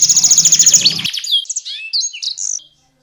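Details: Energetic canary song for tutoring champion competition birds, with konin and blackthroat phrases: a fast, harsh, high rattling trill breaks into a string of sharp slurred chirps and whistled notes, then silence.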